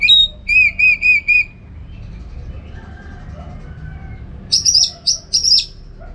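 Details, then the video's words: Orange-headed thrush, a training bird for contest singing: a burst of four quick repeated slurred whistles, a quiet pause, then three sharp high buzzy chirps near the end. "Masteran ANIS MERAH Gacor"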